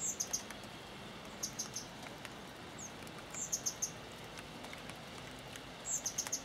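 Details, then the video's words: Spotted flycatcher (Muscicapa striata), recorded 23 June 2013, giving thin, very high squeaky calls in quick runs of three or four, repeated every couple of seconds over a soft background hiss. "Lejsek šedý - Muscicapa striata - Spotted Flycatcher - Grauschnäpper - Papamoscas gris"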